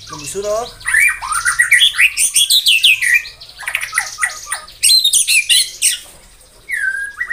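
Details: Morning song of a white-rumped shama meant to raise rivals' fighting mood: an accelerating climbing series of whistles, dense loud chattering phrases, then a clear descending whistle near the end.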